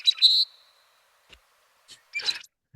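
Rusty Blackbird: a high, thin, creaky squeal, then a scratchy squeaky burst about two seconds later, higher-pitched than a grackle's.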